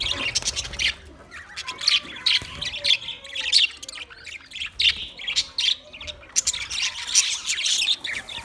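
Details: Twenty pairs of budgerigars chirping together, a dense continuous chatter of high rapid chirps and squawky warbles with overlapping voices throughout.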